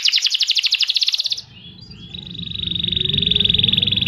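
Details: Canary singing as a training master recording for provoking other birds to sing: a fast, loud, high trill of evenly repeated notes lasting over a second, a brief pause, then a long, steady, high whistled tone with a low background rumble.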